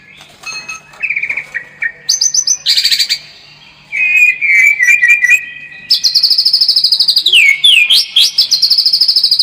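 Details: White-rumped shama lure song for a more combative bird: changing phrases of clear whistles, harsh rapid chatter and high ringing notes, ending in a long series of repeated high whistles that drop sharply.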